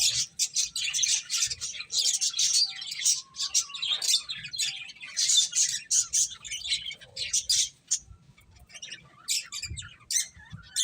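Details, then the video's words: Feeding finches keep up a busy chorus of sharp, high chirps for most of the stretch, thinning out toward the end with a few spaced tweets. "Cute Finches Chirping Sounds | Beautiful Birds Eating"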